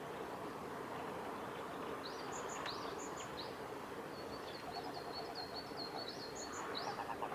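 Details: A male red crossbill at Kawaguchiko Field Center on 14 April 2018 gives thin, high, clipped chip notes in short scattered runs over a steady wash of broadband outdoor noise.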